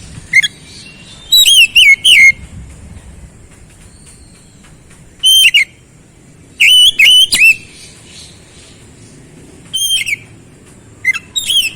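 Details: Magpie-robin song for bringing a quiet bird back to song: scattered clusters of sharp, high whistled notes, some rising and some falling, separated by gaps of a second or more.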